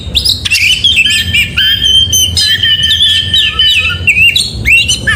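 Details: Morning song of an oriental magpie-robin, lively gacor style: rich, varied whistles and warbled phrases, some squeaky, flowing almost without pause over a faint low rumble.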